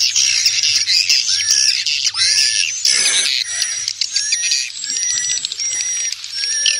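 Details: Swiftlets in a lure recording of calls with wing flapping, used to attract swiftlets: dense, continuous high twittering chirps, with a steady thin high whistle-like tone running through.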